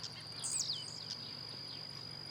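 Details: Blue-black grassquit singing as it hops in the wild: one sudden, thin buzzy note swooping downward, followed by quieter fainter echoes of the pattern, with a persistent high insect tone.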